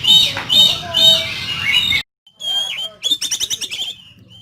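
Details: Rough fill-in song of an oriental magpie-robin for kacer training: dense high warbles for two seconds, a brief silence, then a clear whistle dipping and rising, followed by a fast burst of sharp repeated notes.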